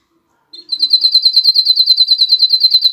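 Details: Domestic canary singing, a song meant to stimulate females to mate and chicks to sing: a fast, steady trill of high chirps repeated about six times a second, held on one pitch after a brief opening note.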